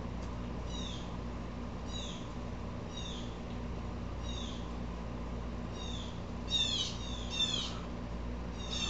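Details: Agitated Blue Jay, upset and also stirring up squirrels: a series of harsh, slurred, falling calls roughly once a second, with a quick rasping double burst near the end, over constant low background hum.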